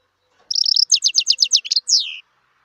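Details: Wild European goldfinch singing: after a short silence, a fast run of about nine bright, buzzy, evenly repeated high notes, then a sweeping downslurred note to finish. The background is quiet.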